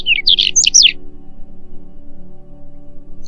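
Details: Whinchat (Saxicola rubetra), song.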